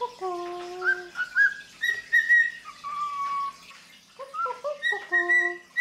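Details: Female pet cockatiel singing on her owner's arm during head stroking: a melodic whistled tune of held low notes, stepping up to brighter repeated phrases, then a quick sequence of short hopping notes before returning to high whistles.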